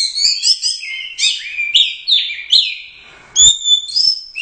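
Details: Orange-headed thrush, a competition bird that took first place at the Royal Cup, singing a rapid run of varied high whistled and slurred phrases, some dipping lower, broken by a short pause before brighter piercing notes return.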